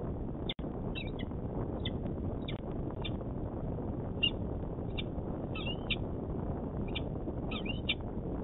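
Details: Male peregrine falcon heard from a live nest camera in Manchester, New Hampshire, late February 2018: fainter, hoarse doubled chip notes roughly every half second to second, partly masked by steady low-frequency rumble.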